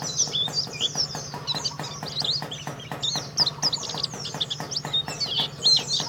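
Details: Oriental white-eye, a Karawang competition champion, sings a dense, busy warble of high squeaky chirps and trills without pause, accompanied by regular sharp clicks and a soft low hum.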